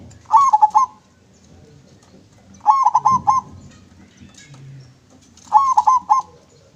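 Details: Clear-voiced local zebra dove singing, recorded as a lure: three short phrases of fast rolling coos, each about half a second long, spaced roughly every two and a half seconds over a low background hum.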